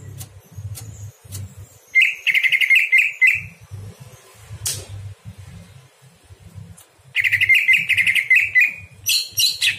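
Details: Greater green leafbird song at night used to train other birds, two bursts of rapid chattering whistled notes, each lasting over a second, separated by a pause with clicks and low rumbling background.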